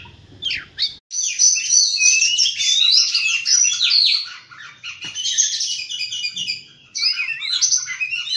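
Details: Oriental magpie-robin singing in the morning, a long unbroken flow of high, busy chirps and trills with sliding notes, broken by a short pause before resuming.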